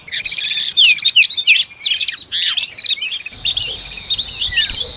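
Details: Oriental magpie-robin feeding its young: loud, varied whistled notes, sweeping upward and downward slides with sharp chirps packed closely together, followed by lighter twittering phrases.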